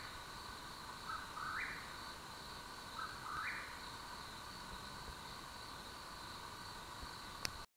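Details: Mexican Whip-poor-will singing in the Santa Catalina Range, Arizona, on July 24, 2016, giving two burry, rising phrases about two seconds apart over a steady high insect drone.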